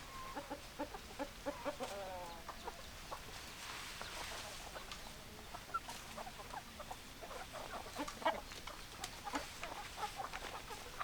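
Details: Chickens with hens clucking: a busy stream of short, clipped clucks and chatter from several birds through the whole stretch, some notes stacked and nasal, over a steady background hiss.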